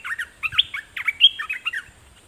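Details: Red-whiskered bulbul kept as a decoy bird, singing at wild birds: a quick run of bright warbled, whistled notes sweeping up and down, with short rising and falling slurs packed into rapid phrases and faint low rumbles underneath.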